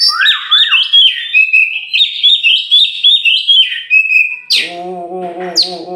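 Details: Tame champion oriental magpie-robin from Meulaboh, Aceh, released outside before caging, sings a string of clear whistled notes on a steady pitch with quick flourishes, after which a man's voice takes over.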